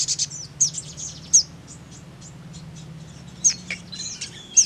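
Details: Crimson sunbird calls: thin, very high sharp chips and short ticks scattered irregularly in small clusters, with a steady low hum underneath.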